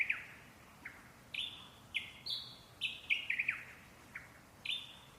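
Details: Singing parrots give bright whistled phrases, short downslurred notes alternating with longer level whistles, and a quick trilled burst in the middle, roughly every half second over a faint steady background.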